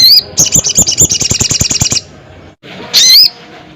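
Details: Crested jay calling loudly at a rival: a brief high whistle, then a rapid dry rattle of about sixteen pulses lasting nearly two seconds, followed after a pause by a shrill wavering whistled note.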